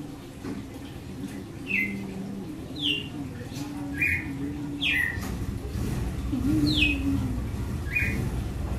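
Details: Red-cowled cardinal giving the açoite song style: six short, sharp downslurred whistled notes spaced roughly a second apart, over a steady low hum and faint murmuring.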